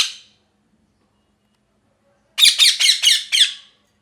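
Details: Pet parrot giving a burst of five harsh, grating squawks in quick succession after a brief cut-off screech at the start, in a quiet indoor room.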